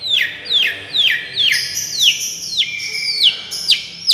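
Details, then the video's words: Long-tailed shrike singing in miyik style as therapy sound, a string of clear descending whistled slurs repeated about twice a second, later overlapped by higher thin whistles. "suaara terapi cendet miyik"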